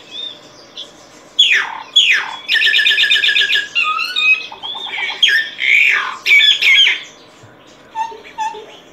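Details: Varied solitary cacique song: sweeping downslurred squawks, a rapid rattling burst, low knocking notes in a quick series, and loud grating phrases before softer trailing calls.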